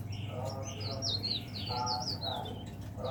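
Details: Caged leaf warbler singing from morning to evening. A fast string of high, wavering, twisting whistled notes rises and falls, partly overlapped by low human talk.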